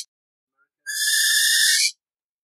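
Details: Burrowing owl (Athene cunicularia) giving one harsh, hissing screech that lasts about a second, broad and rasping, after a brief quiet lead-in; no other sounds.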